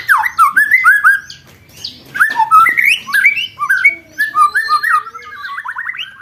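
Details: Training song for contest birds, white-rumped shama, 'roll tembak' material: a rich run of clear whistled slurs, rising and falling, delivered in quick varied phrases with short gaps, ending in a fast stuttering series.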